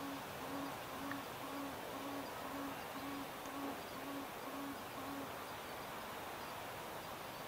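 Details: An adult male Tawny Frogmouth calls after sunset beside a creek in a suburban Melbourne park, Australia, 18 February, giving about ten deep, soft 'oom' notes, two per second, then stopping, over steady background hiss.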